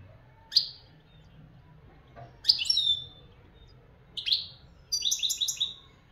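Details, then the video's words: European goldfinch from Morocco giving high, sharp chirps spaced about two seconds apart, then a short fast run of bright tinkling notes near the end, over a faint low hum. "مقنين حسون بلدي"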